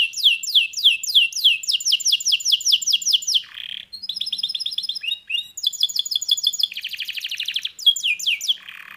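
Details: Canary in full song, opening with a long series of quick downward-swept whistles, then a short pause and shifting trills, a dense rattling tour and more falling notes.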